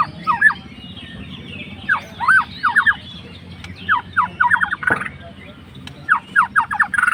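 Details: White-rumped shama, a fighter bird, provoking a rival with song: repeated clusters of three to five quick downslurred notes separated by short pauses, over a persistent low-pitched hum.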